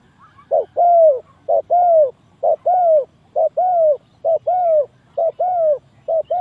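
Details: Spotted dove used to lure doves into a trap: six rhythmic pairs of soft, low coos, each short-then-long, with even spacing after a faint start.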